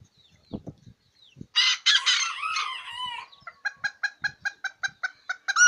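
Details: Brown red kikiriki rooster crowing: one loud, harsh crow that rises and then falls over almost two seconds. A quick run of about a dozen short, evenly spaced clucking notes follows it.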